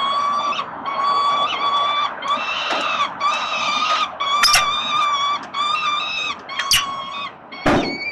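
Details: Wild peregrine falcon chicks on Collins Street, Melbourne, Australia, begging as their father feeds them, 30 October 2021. Loud, harmonic, wailing cries repeat in quick succession, broken by a few sharp clicks and knocks.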